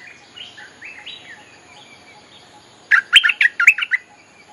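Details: Bulbul lure song for drawing in wild birds: soft, sliding whistles at first, then a loud burst of about six quick, bright, warbled chirps.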